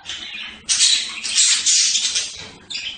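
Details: Budgerigars: a brief warble, then a sustained burst of loud, scratchy screeching lasting nearly two seconds before a short final call.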